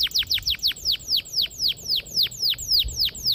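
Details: Canary singing a steady series of sharp downslurred whistles, about four per second, clear and evenly repeated, used to lure young canaries into song.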